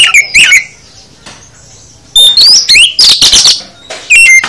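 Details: Oriental magpie-robin full song for training caged birds, with short whistled phrases, a long quiet gap, then loud rising whistles, raspy bursts and sharp notes.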